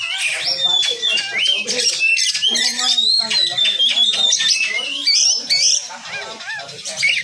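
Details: Kacer, the Oriental magpie-robin, in a tutor recording for songbird competitions. It gives a loud, unbroken medley of bright whistled phrases, rising slurs and scratchy chatter, packed closely together, with a faint low hum beneath.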